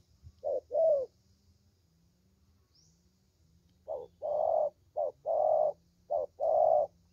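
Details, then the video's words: Spotted dove, a young lure bird with a fine voice, cooing in two bursts separated by a three-second pause; soft deep paired notes over a low hum. "Thổ Tơ Tốt Tiếng"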